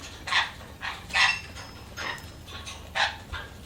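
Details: Budgerigar chirps in short harsh bursts, about five spaced calls repeated roughly every half to one second, each a brief broadband squawky note with a faint background hiss.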